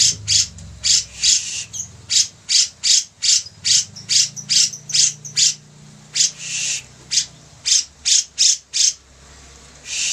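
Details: Lively grey-cheeked bulbul (cucak jenggot) delivering a long chattering series of harsh high notes, about two or three per second, with brief pauses and a few longer raspy notes mixed in.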